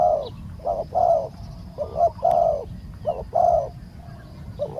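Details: Spotted dove cooing while used as a live decoy to lure a wild dove down: low, hollow coo notes in short phrases, each a quick pair and a longer drawn note, repeated about every second, over a steady low rumble.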